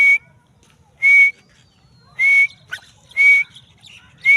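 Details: A female grey francolin gives loud, piercing whistles, each a steady note with a flick upward at the end, repeated roughly once a second with short silent gaps.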